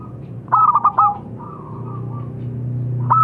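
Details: One quick group of bright, clipped notes from a local zebra dove trails into a faint murmur. A new phrase begins just at the end, over low background rumble.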